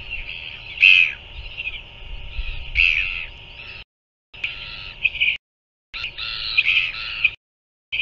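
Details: Royal albatross chick being fed by a parent at a nest in New Zealand, filmed by a live nest camera at 5:41 pm on 7 February 2024; short harsh, squeaky bursts in clusters with gaps, over a steady high background hiss.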